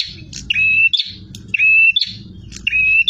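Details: Bar-winged prinia singing aggressively, three phrases of a clear flat whistle rising into a scratchy buzz about a second apart, backed by steady low-pitched rumbling.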